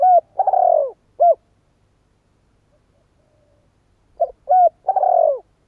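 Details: Two cooing phrases from a spotted dove are separated by about three seconds of silence. Each holds short hollow coos around a drawn-out, downward-sliding burry note. Nothing else is audible.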